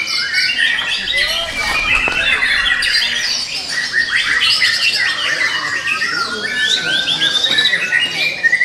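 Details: Wild-origin young White-rumped shama in a cage delivers a long, continuous medley of bright whistles, twittering trills and swooping notes that change every moment.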